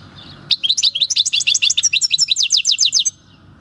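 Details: European goldfinch caught wild at El Paso in 2018 singing its own field song: after a soft start, a quick unbroken series of bright, evenly repeated tinkling notes lasting about two and a half seconds.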